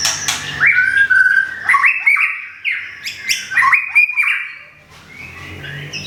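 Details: Caged white-rumped shama from Thung Song, Thailand, whose plumage is almost fully regrown after a moult, sings loud clear whistles and quick stepped, slurred notes in lively bursts before trailing off quietly.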